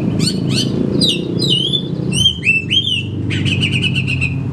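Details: Oriental magpie-robin kept in a cage, singing a lure song for lazy kacer: sharp chips, then a run of melodious slurred whistles, closing with a long buzzy rattle, all over a strong low background hum.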